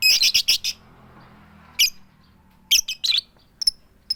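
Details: Female lovebird calling a male: a fast burst of shrill rasping notes, a pause, then scattered harsh 'keyok' squawks and single high ticks, with no chattering.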